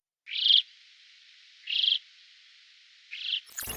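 Alpine Chough giving three high, rippling, slightly buzzy calls about one and a half seconds apart, ending with a brief burst of noise.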